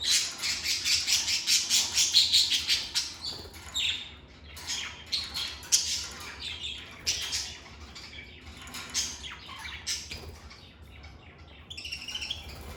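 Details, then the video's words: Lovebirds in a stress-free home setting produce a rapid series of harsh, shrill squawks, fast and pulsing at first, then spaced, irregular chirps and rasping notes. "Lovebird Singing & Chirping Sounds"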